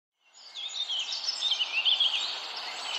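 A warbler's high, rapid, continuous song of tangled twittering and trills, lasting nearly three seconds, with a soft hiss of background noise.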